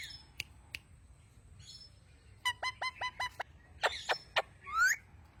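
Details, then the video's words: Talking parrot, a pet mian mithu, gives a series of five evenly spaced harmonic squawking syllables, then louder harsh calls and a rising whistled note, with faint clicks before. "Talking parrot. Mian mithu."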